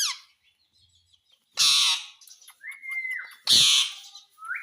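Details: Ringneck parrot giving two loud, harsh, broadband squawks about two seconds apart, with short flat whistled notes and a rising whistle between them.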